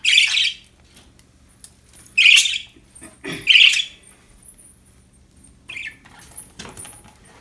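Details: Budgerigars, described as happy, utter three loud separated chirps in the first four seconds, then softer scattered squeaks against a faint hum.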